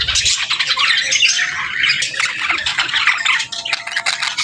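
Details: Budgerigar pairs conversing: harsh squawks and high twittering notes tumble over each other in a loud, busy stream.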